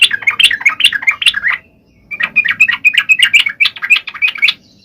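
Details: Yellow-vented bulbul song for triggering reluctant males: two dense, chattering, warbled phrases of rapid rising and falling notes, with a short break between them.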